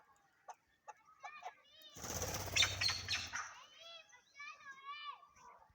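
Chukar partridge giving short, clipped chirps and harsher, wavering call notes, broken midway by a loud burst of wing-flapping.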